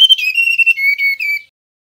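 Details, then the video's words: Male mangrove blue flycatcher whistling: a brief run of pure, slightly wavering notes stepping down from high to a lower steady tone, lasting about one and a half seconds, with no other sounds. "Suara tledekan bakau jantan nyiul"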